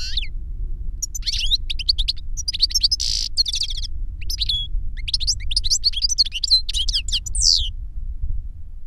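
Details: Reclamo-style singing from a master and novice European goldfinch, the young bird having learned the master's song from a CD; a long, dense run of tinkling, chattering high notes and a brief buzzy rasp, low hum behind.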